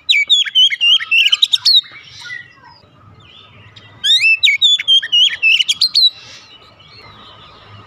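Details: Oriental magpie-robin (kacer) in rapid, energetic song: two long bursts of varied whistles, sharp chips and trills, separated by a quieter stretch with soft background noise.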